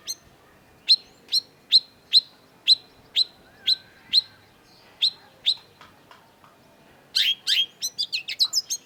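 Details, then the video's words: Long-tailed shrike singing on a lure recording: a steady series of sharp, high, clipped notes spaced about half a second apart, then a dense, scratchy, chattering burst at the end. "cendet gacor LANGSUNG GACOR !! PANCINGAN CENDET MACET || Long-tailed Shrike"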